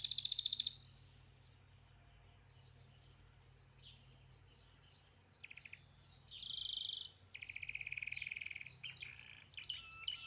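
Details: Canary singing in rapid, high, chattering bursts, with quick twittering notes and buzzy rolled trills that come and go between quieter pauses, over a faint low hum.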